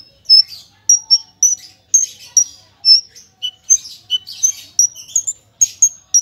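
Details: Javan bush lark of the parva form, full song with rapid bursts: high thin whistles and short chips in a quick uneven sequence, mixed with brief scratchy notes, about three or four per second.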